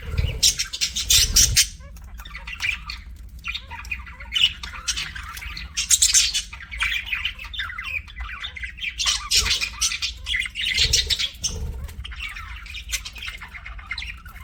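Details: Several pet budgerigars keep up a long, rambling chatter of grating squawks and twittering notes, rising into denser bursts every few seconds against a faint low hum.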